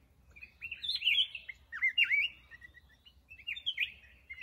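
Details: Black-crested bulbul singing three short bright warbled phrases, each a quick rising-and-falling slurred whistle, spaced about a second apart, with a quiet low hum beneath.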